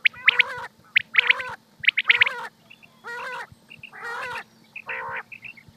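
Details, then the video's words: Common quail from Pakistan, kept for hunting, giving quick two- to three-note whistled bursts alternating with longer, rough, buzzy, nasal calls roughly once per second. "quail sounds 2023|batair ki awaz 2023|pakistani batair|top sounds of batair"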